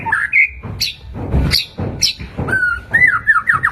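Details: White-rumped shama song used as a lure to stir other shamas into quick response: clear whistled notes near mid pitch alternate with sharp high chips and short rising and falling whistles, over soft low thumps and knocks.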